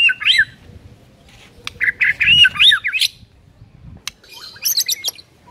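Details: White-rumped shama master song meant to make silent birds sing: a twisting phrase of varied slurred whistles, then sharp ticks and a short burst of very high buzzy notes.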